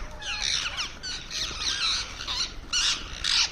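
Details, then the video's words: Indian ringneck parrot making sounds while eating, on a terrace: a run of shrill, high squawks and screechy rasping bursts, some downslurred, packed closely with short gaps, louder pulses near the end; low background rumble. "Cute Ringneck Parrot Making Sounds While Eating"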